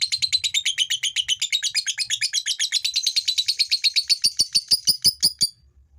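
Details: Long ngekek chatter of a male fighter lovebird, played to stir females into chattering: a dense, rapid series of harsh high notes lasting over four seconds, then slowing into separate clicks before stopping.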